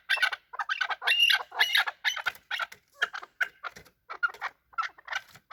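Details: Fighting chukar partridge (chakor) giving loud, harsh, clipped chuck notes in uneven bursts, some doubled, separated by short silences, about two notes per second.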